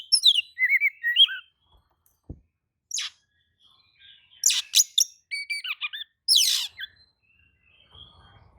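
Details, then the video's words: Oriental magpie-robin replying heatedly to another magpie-robin: clusters of whistled notes and harsh, buzzy bursts, separated by gaps, with a faint click partway through. "kacer manasaja jelas ikut nyaut emosi dengrar kicau kacer seperti kacer ini"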